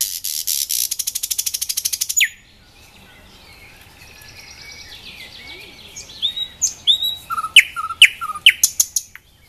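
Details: A nightingale sings in Dubki park, Sestroretsk, Saint Petersburg: a long buzzy rattle for two seconds, a pause, then soft warbling leading into loud repeated sharp notes.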